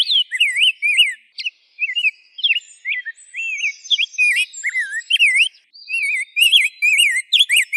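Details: Rose-breasted grosbeak delivering fast, varied warbled whistles, swooping notes strung into phrases separated by brief pauses.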